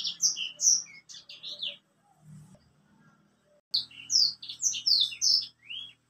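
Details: White-rumped seedeater song: high sweet chirps and downslurred whistles, a quiet gap with low murmuring noise, then another vigorous burst of rapid twittering.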